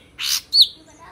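A sooty-headed bulbul gives a harsh, rasping burst followed by one clear, high whistled note that slides slightly downward, all within about a second.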